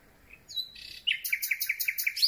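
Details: Common nightingale (Luscinia megarhynchos) singing at night, recorded very close with a pole-held microphone: a thin whistle, a buzzy note, then a rapid run of about seven loud, rich repeated notes, with occasional faint rubbing of the mic on twigs.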